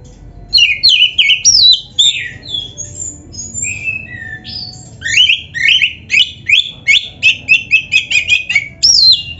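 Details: White-rumped shama, kept caged, pouring out training song: opening varied whistled phrases, then a rapid series of repeated upslurred whistles, roughly three per second, ending in a bright rising note.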